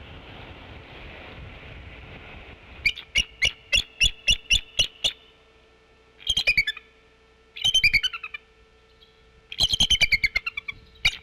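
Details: A mother bald eagle on her nest gives brief warning calls and chittering in late November: a run of evenly spaced sharp high notes, then bursts of rapid twittering chatter, over a steady low hum.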